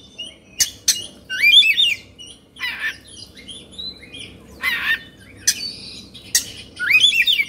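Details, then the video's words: Oriental magpie-robin, an Indonesian cage bird, excited with fluffed plumage and spread tail, giving scattered sharp clicks, harsh rasping bursts and twisting whistled phrases. "Suara Kacer Emosi/Kongslet"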